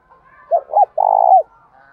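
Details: Spotted dove used as a lure, calling to pull wild doves closer: a quick pair of curved short notes, then a drawn-out, steady, trembling coo that drops at the end.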